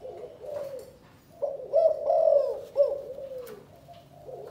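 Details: Calling coo of a Vietnamese spotted dove from Can Tho, 'chụp chụp ô' style: a short phrase of mellow hooting notes with curved inflections, against a faint background hiss.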